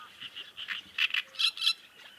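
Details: Great reed warblers in chatty exchange, giving loud, rasping, croaky notes in short separate bursts that grow harsher and stronger toward the end.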